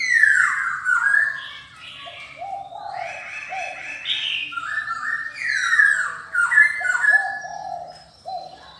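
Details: Silver-eared laughingthrush song of rich, descending whistled slurs and short lower notes repeated in quick runs. The phrases are varied and rise and fall without a steady rhythm.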